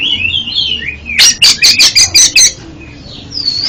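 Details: Oriental magpie-robin (kacer) song played as therapy for a stuttering bird: a soft warbled whistle, then a burst of seven loud, evenly spaced harsh chattering notes, ending in a faint rising whistle.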